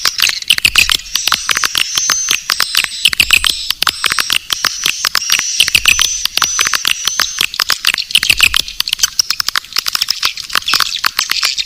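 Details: Swiftlet lure call in the Naga Birahi style, used to attract swiftlets: a dense stream of sharp clicks and chirps overlaid with high, thin whistled notes that repeat in short level strokes, with no low sounds at all.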